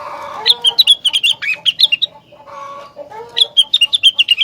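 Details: Rengganis in strong song said to trigger other rengganis to join in: quick bright chirped notes repeated rapidly in two bursts, with a short dip into lower, throaty chattering between them.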